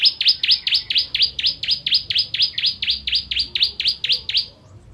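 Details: Ciblek kristal, or bar-winged prinia, repeats crisp high down-slurred notes in an even, fast sequence lasting over four seconds against a clean background, as tutor song for contest birds.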